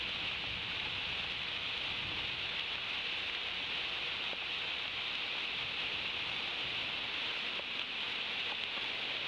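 Steady hiss of rain falling on a surface continues throughout, with no animal calls heard.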